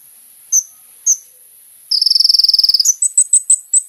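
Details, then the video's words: Vigorous sunbird (kolibri ninja) song used to lure other birds: two isolated high chirps, then a fast buzzing trill lasting about a second, followed by a string of five sharp notes. "SUARA BURUNG KOLIBRI NINJA GACOR"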